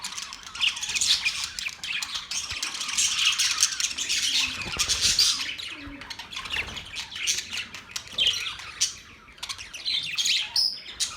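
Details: Flock of Australian parrots, October 10, 2023, keeping up a steady wash of raspy squawks and chatter, loud and dense throughout with brief quieter gaps near the end.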